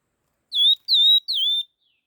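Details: Laughingthrush delivering the rapid 'hót kích nhanh' song: three strong whistles with curved, downslurred starts and steady tails, evenly spaced, followed by a faint trailing note.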